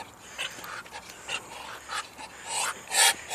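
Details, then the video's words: A duck that could not quack hisses while attacking the camera: a series of short, harsh, rasping breathy bursts, irregularly spaced and growing louder toward the end. "The crazy hissing duck attacks camera"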